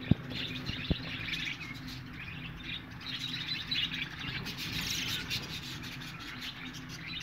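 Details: Budgerigar colony: a steady mass of overlapping warbled chirps and chatter from many birds, with a low hum underneath and a few sharp knocks near the start.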